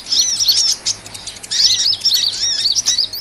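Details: Hummingbird twittering used to attract small birds for trapping: two long runs of high, wavering chirps joined by a short quieter gap.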